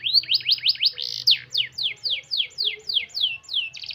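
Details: Singing canary used to prompt slow-singing canaries: rapid zigzag whistles merging into a loud slur, followed by a steady series of clear descending sweeps about three a second.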